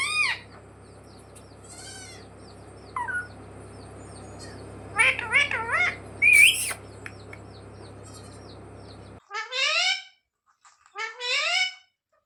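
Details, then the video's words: Pet parrot, kept as a talking bird taught to say "mummy papa", gives scattered harmonic squawks and bent, wavering syllables over a steady low hum that cuts out late, followed by a few clearer ringing calls in silence. "मम्मी-पापा बोलने वाला सुपरस्टार मिट्ठू || 100% असली बोलने वाला मिट्ठू | Viral Parrot Talking Video"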